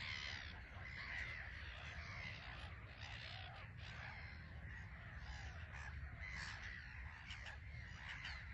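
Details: Black-headed gulls in a bustling colony on a small island at Frampton Marsh nature reserve, birds taking off and landing under grey sky; dense overlapping harsh, grating calls throughout, with steady low wind rumble.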